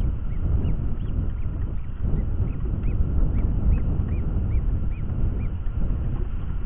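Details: Eurasian hobby at a manmade nest built to resemble a crow's nest in Dorset, on a July afternoon as a second egg hatches and food arrives; short arched high notes repeated about every half second over heavy low wind rumble.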